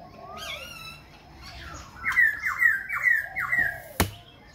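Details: Khe Sanh laughingthrush singing and dancing with constant changes of voice; after softer slurred notes come four loud, evenly spaced, downward-swooping whistles, ending with a sharp knock.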